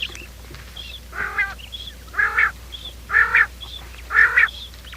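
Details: Quail calls used to lure quail for trapping, played in the morning: harsh, rasping notes with a nasal tone, given about once a second in an even series, with faint high chirps in between.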